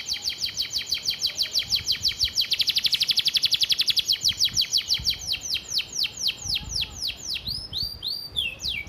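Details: Canary master vocal for training birds: a fast, loud roll of falling whistled notes that speeds up, then slows into wider spaced sweeps, with light background noise.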